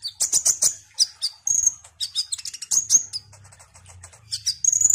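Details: Orange-headed thrush, locally called konin or kolibri ninja, described as a lively bird that sings constantly. It gives rapid high, bright chips and short whistled phrases, with buzzy trills and a few sustained thin notes. A faint low hum runs underneath.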